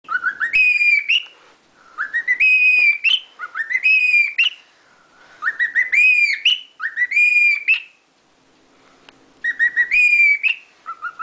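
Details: Lutino cockatiel, a pet, singing La Cucaracha: clear whistled phrases with rising glides and steady held notes, repeated in short bursts separated by brief pauses, with no other clear sounds.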